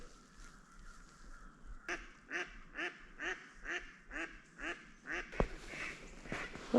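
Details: Ducks, probably Mallards, on a snowy, foggy winter morning at Meridian Park give a loud run of about nine harsh, nasal quacks, two or three each second. A couple of sharp knocks follow near the end.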